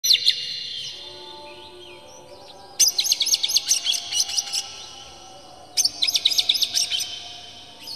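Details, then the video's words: Oriental magpie-robin lure song used to provoke birds into singing and spreading the tail: a brief high burst, then two bursts of rapid, sharp, clipped notes separated by quiet pauses of about three seconds. "PANCINGAN KACER Buka Ekor KONSLET bongkar MATERI KASAR JERNIH agar KACER emosi"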